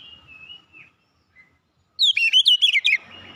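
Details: Oriental magpie-robin (kacer) in full, lively song: a faint drawn-out whistle, a pause, then a loud second-long burst of varied rapid whistled notes, rising and falling, ending abruptly.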